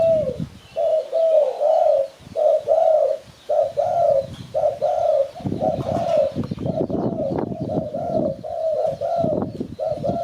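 Spotted dove giving soft, mellow coos in quick, slightly uneven runs of short notes, with low rumbling background noise growing stronger midway.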